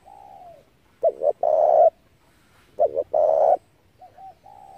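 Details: Spotted dove cooing for a dove-trapping lure: a soft falling note opens, then two loud phrases of two clipped notes and a long rasping coo, ending on quiet paired coos.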